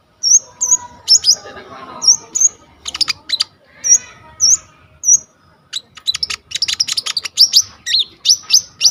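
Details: Konin (coconut lorikeet) song recorded on a vivo Y21 phone as training material for kolibri ninja birds: spaced high whistled slurs repeated roughly every half second, then crowded bursts of sharp chirps; faint murmuring underneath.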